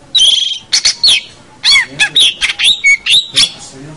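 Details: Long-tailed shrike song used as a master recording for training young birds, with loud harsh chattering bursts and bent whistled notes, some arched and falling, delivered in quick irregular phrases.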